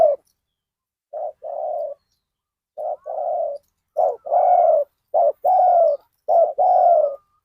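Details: Decoy spotted dove calling at Ban Nong Hin, luring wild birds: mellow, low-pitched coos in paired phrases, a short note followed by a longer one, growing louder across the recording.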